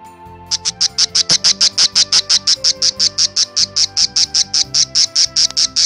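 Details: A budgerigar grinds its beak, a sign of contentment, in a steady run of dry, high, scraping rasps, about four or five per second, over soft low background music.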